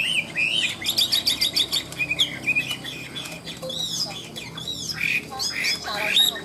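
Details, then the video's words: Caged Chinese hwamei, a 'ngũ trường' style songbird singing high when its cage is hung out: rapid varied whistles, trills and slurred notes, loud bursts in the first two seconds, then looping rising and falling phrases. "Họa mi ngũ trường, hót cao cầu - Treo ra là bắn như aka"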